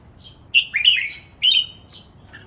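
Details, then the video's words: Caged red-whiskered bulbuls, three males sparring in lively song used as a training model; short bright whistled phrases near the upper range, each rising then falling, about three bursts in quick succession with brief gaps. "นกกรงหัวจุก เจ้าขุนอินทร์ VS เจ้าขวานฟ้า VS เจ้าขุนไกร เสียงร้องเล่นเต้นริกเบิ้ล นับดอก แม่บท"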